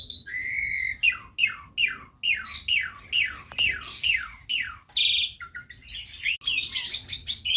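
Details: Canary in a small aviary in the morning, singing a fast run of repeated falling whistled notes about three per second, then trilled and buzzy high phrases, with quiet low background hum.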